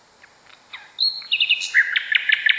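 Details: Common nightingale singing in a recording prepared to teach canaries: faint soft notes, then a sustained high pure whistle stepping down in pitch, followed by rapid sharp clicks and chirps over steady hiss.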